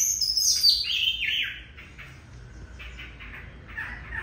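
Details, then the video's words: Oriental magpie-robin song, noted for very long phrases sung in one breath; clear descending whistled notes open the clip, then softer, fainter whistles follow after a quiet stretch. "Choè than hót dài đếm mỏ 1 hơi tới 15s"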